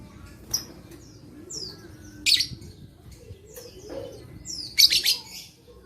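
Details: Lovebird recorded 11/4/21 as playback to rouse lazy lovebirds into singing; sharp, shrill chirps in short bursts, a few seconds apart, with quieter squeaks between and a faint low hum underneath.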